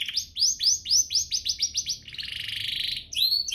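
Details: Canary song meant to get other canaries singing hard: bright rising slurs repeated about every 0.4 seconds, then a dense buzzy churring trill, then more sharp slurred notes.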